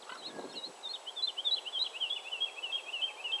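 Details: Woodlark singing a continuous series of liquid, slurred high notes, repeated rapidly and drifting slightly lower in pitch over three seconds, after a brief low soft noise at the start.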